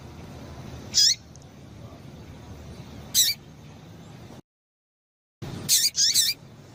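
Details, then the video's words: Female double-collared seedeater calling to stir up males: short, very high, sharp chips with a quick downward tail, given singly and in a close pair, a few seconds apart, over a low steady hum, with a brief silent break. "Piado de Fêmea de Coleiro para Esquentar Coleiro"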